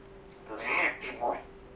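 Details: Pet grey parrot kept indoors, showing part of its talking repertoire: a short burst of speech-like syllables, two voiced phrases with a brief pause between them, over a faint steady hum.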